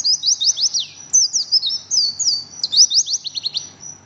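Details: Oriental white-eye in rapid 'ngriwik' chattering song, continuous throughout: tumbling strings of thin, high, downslurred notes, with brief pauses between bursts and a stuttering trill near the end.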